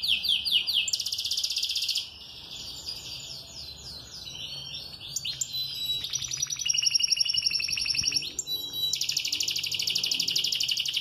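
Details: Canary singing while moulting, a bird that keeps singing all day: quick descending sweeps open into buzzy high rolls, then pulsed trills and a long, rapid, even roll to the end.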